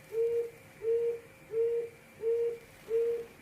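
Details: Quail giving its hồi công call: five short, steady, hollow whistled notes, each about a third of a second, evenly repeated roughly every 0.7 seconds over a faint steady background hum.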